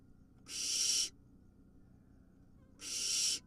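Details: Wild barn owl nestling after swallowing a large vole; two even, noisy hissing screeches of roughly half a second each, about two seconds apart.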